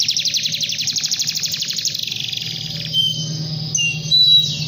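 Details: Canary singing at length to call a rival: about two seconds of rapid pulsed high trill, then sparser clear whistled notes at varied pitches, with a steady low hum beneath.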